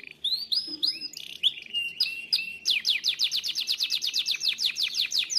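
A Timbrado canary sings a loud, varied song: opening whistled notes, then a fast metallic trill of rapid repeated chirps, about five per second.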